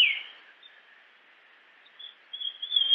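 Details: Japanese grosbeak in natural habitat: a loud whistled note that opens then fades, a quiet stretch, then a run of bright, fluty whistles building to a sustained clear tone, over light hiss.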